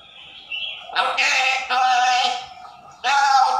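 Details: African grey parrot speaking human words: a soft whistled lead-in, then two sustained, harmonic voice-like phrases and a final short burst, loud and clear.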